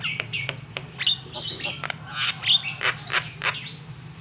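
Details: Rapid harsh chattering of a Javan myna, a provoking call for a bird slow to sing: scratchy bursts and clicks about three per second, a few squealed notes, low hum beneath.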